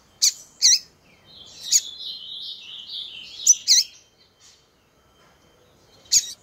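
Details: Calling female double-collared seedeater, whose calls are meant to rouse males. Two sharp high chips open, then a thin, wavering twittered phrase and more piercing chips, with near silence between calls.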